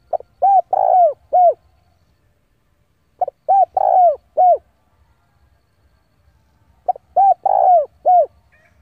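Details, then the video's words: Decoy spotted dove cooing to call rivals to fight, three matching phrases each of a clipped note followed by three low falling coos with a longer middle one, repeated roughly every three seconds. "tiếng chim cu gáy gọi bổi về cội để đấu của con chim cu gáy mồi giọng gáy hay cực chuẩn kích bổi"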